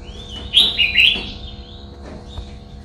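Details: Red-whiskered bulbul, kept for song, singing a short bright warbled phrase around one second long, rich notes climbing and dipping in the upper range, with faint clicks and low background hum.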